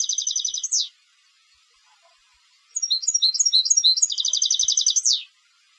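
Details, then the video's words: European goldfinch used in song competitions: end of a tinkling trill with a falling sweep, a short pause, then a new phrase of twittering notes and rapid repeated trill closing with a descending slur. "Jilgueros de Concurso - Canto del Jilguero"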